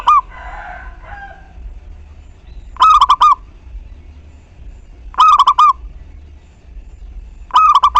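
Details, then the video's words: Lure recording of a lively local zebra dove meant to stimulate other doves to coo: clipped, bubbling phrases of three or four rapid notes repeated about every two and a half seconds, with faint chatter from another bird at the start. "Perkutut Lokal GACOR Pancingan Tercepat Buat Nyaut Bunyi"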